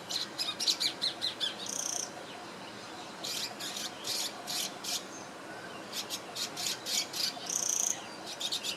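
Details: Swiftlet-like bird in Singapore, 2017, chirping while preening; clusters of very high, rapid clicking chirps in short bursts with pauses between, plus a few thin whistled notes.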